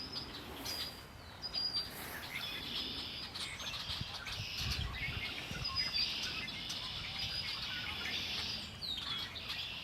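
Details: A mixed chorus of birds by Lake Erie, with high chattering trills and sharp chirps throughout and faint low rumbles beneath.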